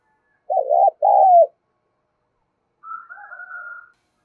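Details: Spotted dove calling to stir up other doves: one loud, low double coo with a wavering first part and a drawn-out falling second part, then after a pause a softer, higher, longer note.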